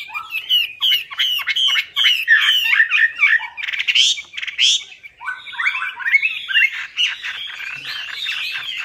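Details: Chinese hwamei singing as lure material, a dense, rapid torrent of varied chattering notes and sharp whistles with scarcely a break, rich and energetic throughout.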